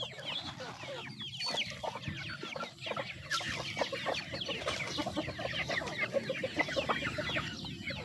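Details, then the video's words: Chickens eating, with hens feeding among their young; dense overlapping short clucks and chirps from several birds, busy and continuous, over a low steady background rumble. "The sound of chickens eating"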